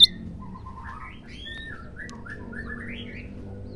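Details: A female white-rumped shama's call, used to provoke male shamas into singing: a run of quick, varied whistled notes that slur up and down, some clipped and some rising steeply, over faint low background hum.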